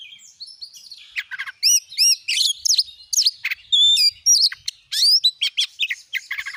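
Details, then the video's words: An oriental magpie-robin sings continuously ('gacor'), as a lure to make other magpie-robins sing: loud hooked whistles repeated in pairs, sharp upslurs and quick chattering phrases, very high and varied. "Kacer jenis manapun bakalan langsung emosi gacor dengan pancingan burung Kacer gacor nembak ini"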